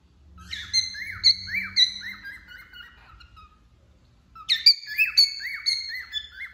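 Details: Wild-type male cockatiel in moult sings two bursts of quick repeated whistles, each note sliding down then hooking up, a few seconds of near-silence between the phrases.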